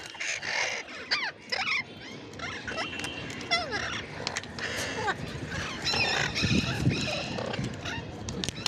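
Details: Ringneck parrot chattering with a rapid run of bent, squeaky notes and occasional harsh screeches through most of the recording, over a noisy background.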